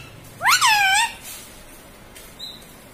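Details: Pet talking parrot, kept indoors and taught to say mummy and papa, gives one loud, harsh, rising-then-falling squawk lasting about half a second, then a quiet room with a faint brief high tone.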